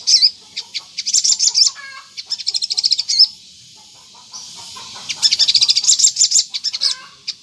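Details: Lure recording of a Crimson Sunbird (sogon) singing 'gacor ngleper' to draw replies from other sogon: short bursts of quick, high, sharp chirps and trills, separated by quiet gaps, including a longer lull midway.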